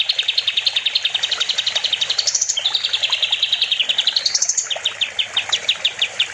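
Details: Kapas tembak bulbul song recorded as master material for training other songbirds, with long rapid rattling trills that rise in pitch, a wavering whistled phrase, and then spaced sharp chips.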